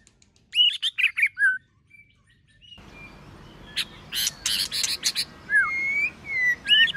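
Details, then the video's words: White-rumped shama giving a varied competition song: a quick run of warbled whistles and a low slurred note, a pause, then loud harsh clicking bursts, followed by long sliding whistles and upward flicks. "Kích Chòe lửa hót nhiều giọng,Nghe nhanh Căng, Kích chòe lửa hót nhiều giọng hay.chòe lửa hót đấu"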